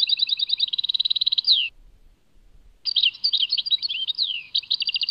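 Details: European goldfinch singing in a Tadmait-labelled recording, a fast even trill of repeated notes ending in a downslurred whistle, then after a brief silence a tumbling, twittering phrase of mixed slurs and rapid chips; otherwise quiet.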